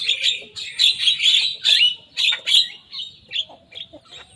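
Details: Javan myna, young and singing loudly while imitating rivals: harsh squeaky chirps in quick succession that fade into softer, spaced notes toward the end.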